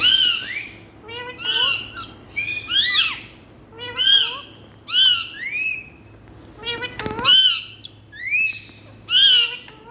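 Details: Indian ring-necked parakeets calling steadily, loud arched screeches repeated about once a second, each with stacked harsh harmonics, plus a brief broad crackle near the seventh second.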